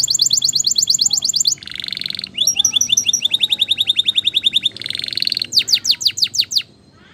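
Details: Spanish Timbrado canary training song: rapid, high-pitched repeated trills and metallic rolls, broken by dense buzzy rolls near two and five seconds, ending in a series of sharp descending sweeps; no other sounds.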